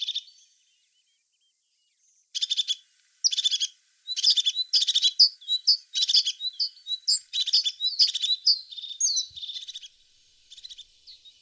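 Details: High-pitched tit singing that starts with a short phrase, pauses about two seconds, then breaks into a dense, rapid twittering of sharp notes and quick slurred whistles before trailing off.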